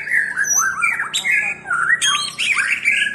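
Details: White-rumped shama giving loud, fluty whistled phrases with swooping up-and-down slides and a few sharp high notes, several phrases in quick succession.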